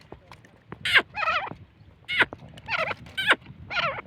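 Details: Grey francolin at Layyah giving harsh, wavering, repeated calls about every half second, each a rough, strongly layered note, over a low rumbling background.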